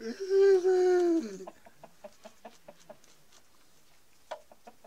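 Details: Denizli rooster crowing among hens: a loud, harmonic, slightly falling crow lasting over a second, followed by a series of soft, evenly spaced clucks and one louder click near the end.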